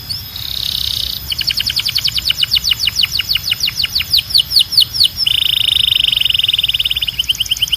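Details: Belgian canary song for training birds: rapid rolling trills of high notes, a run of swooping falling whistles, then a long fast buzzing trill near the end.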